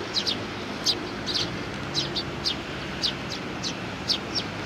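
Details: Eurasian tree sparrows in a group with a little one, 27 June 2019. Paired high chirps repeated roughly once a second over a noticeable noisy background.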